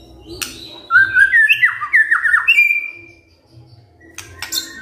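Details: Kretekan fighter song from a white-rumped shama, used to trigger replies from silent birds. It opens with a single sharp click, then a quick, chattering string of slurred whistles, followed by quiet and a few more clicks.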